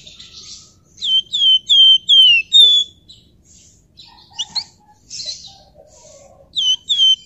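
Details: Flamboyan bird in lively, dense ngebren song with nyerecet passages: loud clear whistled notes sliding downward, repeated in quick bursts, then softer scratchy chirps and trills with short pauses between phrases.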